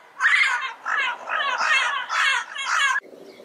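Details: A rapid string of about five loud, rasping squawks from a Yellow-headed amazon, run almost together without pause, ending abruptly.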